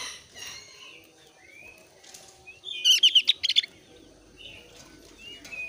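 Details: Javan grey-throated white-eye of the thin-browed type, in breeding condition, singing to lure other white-eyes into song. Faint, high slurred whistles, then a loud, rapid burst of sharp chattering notes midway, followed by scattered thin whistles.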